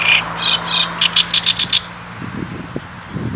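A great reed warbler gives a harsh, rapid run of grating notes, about eight strokes in under two seconds, followed by lower croaking chatter. A steady low hum runs underneath.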